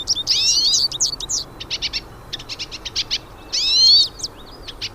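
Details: Several wild hooded siskins in song: a loud buzzy rising sweep opens, then a string of quick clipped high chirps, then another drawn-out buzzy sweep near the end.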